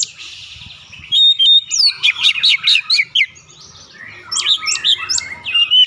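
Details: Oriental magpie-robin singing in a lure recording meant to prompt another bird: a soft buzzy opening, then a fast series of loud, sharp, repeated notes, varied warbling and clipped whistles.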